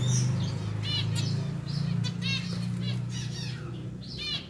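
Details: Pied zebra finches, a caged pair being moved into a bigger cage. Quick nasal beeps, about four per second and unevenly spaced, sound over a steady low hum.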